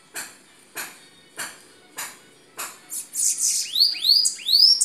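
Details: Bananaquits in northeastern Brazil, several birds singing. Five sharp clicks repeat roughly every 0.6 seconds, then a high buzzy trill and a few loud, arched whistled sweeps.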